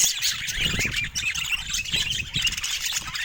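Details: Pet budgerigars in busy chirping; constant overlapping warbling chatter and squeaky notes from a group, with some low rumbling background noise.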